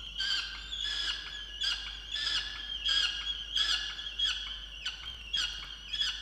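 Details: Angry peregrine falcon in a nest box on a water tower in Orange, New South Wales, Australia, complaining her mate did not bring breakfast; rhythmic, grating wails with strong harmonics repeated about once every 0.65 seconds.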